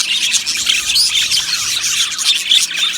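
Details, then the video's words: Aviary colony of Australian budgies, singing and chirping: a thick, overlapping mass of high chattering and warbled notes, with a few clearer whistled squeaks standing out above the steady flock noise. "Beautiful Budgies Singing and Chirping Sounds"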